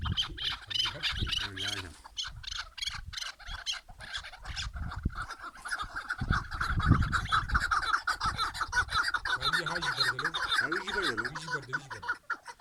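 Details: Chukar partridge song of rapid, rasping chuck notes that run together into a dense chatter, with a low hum and a brief wavering tone partway through.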